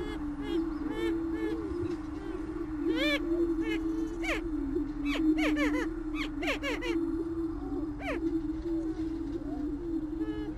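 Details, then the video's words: Greater prairie chicken (Tympanuchus cupido), native to the United States: a sustained low moaning drone carries through, overlaid by repeated sharp cackles and upswept whooping squeals, often in clusters of two or three. "Canto del Gallo de las Praderas Grande"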